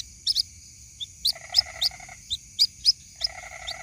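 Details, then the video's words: White-breasted waterhen chick calling its parent: scattered high rising chirps, some doubled, with two runs of a coarse buzzy trill in between, and a continuous thin whine behind. "SUARA ASLI PIKAT ANAK BURUNG RUAK RUAK MEMANGGIL INDUKNYA"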